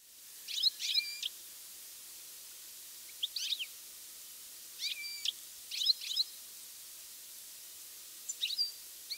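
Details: European goldfinch calling in mid-August during fine weather, one bird said to move its whole body as it calls; short high twittering chirps with bright upper notes in clusters every one to three seconds, quiet background.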